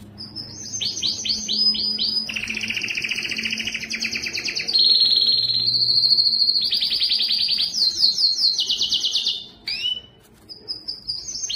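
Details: A male mosaic canary mule sings a long, unbroken song of bright trills and rapid repeated notes in a canary room.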